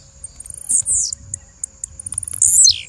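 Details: Blue-black grassquit female call: high, thin descending sweeps and quick tiny ticks, with a steady faint high tone running underneath.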